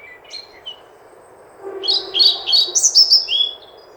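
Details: European pied flycatcher singing: a few thin high chirps, then a quick bright phrase of sharp sweet notes tumbling and slightly descending, about two seconds long, over a faint low background hum.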